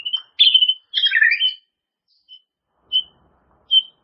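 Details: White-rumped shama song for teaching caged birds new phrases: a short whistle, a loud tumbling burst of varied notes, then three evenly spaced clear whistled notes.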